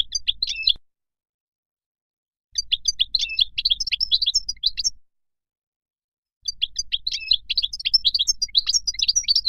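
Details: European goldfinch from Morocco singing in three separate phrases of rapid, jingling twitter, each lasting about two to three seconds, with clear silent gaps between them.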